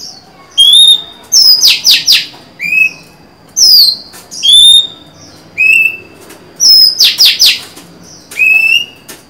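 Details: Female Oriental magpie-robin, recorded 23 July 2020, singing to lure a male: clear whistled notes, some rising, others falling, alternating with bursts of two or three harsh buzzy notes, in phrases about every two seconds.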